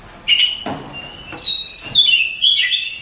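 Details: Contest-champion Oriental magpie-robin giving a long steady whistle followed by loud descending slurred whistles, each phrase starting with a sharp click.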